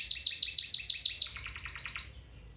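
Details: Domestic canary song for canary training, a quick run of bright high chirps dropping into a faster, lower rolling trill that fades out.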